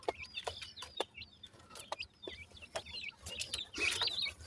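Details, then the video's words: Chicks of a partridge calling in woodland: many short, high, slightly slurred chirps scattered through the recording, getting louder and busier toward the end, with a faint low background hum. "partridge chicks enjoy in the forest,make cute chirping calls"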